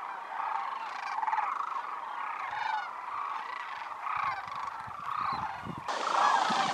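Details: Wintering migratory sandhill cranes, part of a gathering of more than 20,000 at Willcox Playa Wildlife Area, fill the air with overlapping rolling, trumpeting calls; a sudden broader burst of noise comes in near the end.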